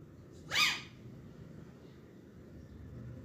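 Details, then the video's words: Green parakeets in a speaking mood: a single sharp, rich, harmonic squawk rises abruptly and then fades, leaving a quiet room with a low hum. "Green parakeets are in Speaking 🔊 Mood"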